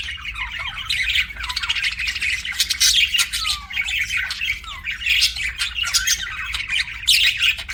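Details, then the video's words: Pet budgerigars in continuous busy chatter, scratchy warbles mixed with sharp chirps and a few downslurred whistles, several birds apparently calling together. "BUDGIE CHIRPING SOUNDS"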